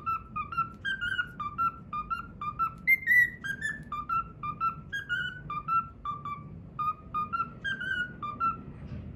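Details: Cockatiel kept as a pet singing the Pythagora Switch opening melody it has learned, a run of short clear whistles in a lively hopping rhythm with occasional higher peaks, faint low background rumble in a small room.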